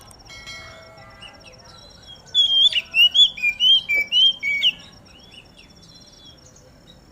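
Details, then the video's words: Oriental magpie-robin (kacer) singing during morning dew airing, used to prompt other magpie-robins to sing: a quick run of about ten loud, clear whistled notes that slide up and down, each roughly a quarter second, over a faint background hum. "Burung Kacer Mana Yang Gak Bakal Ikut Gacor Ketika Dengar Suara Kacer Di Embun ini !!!"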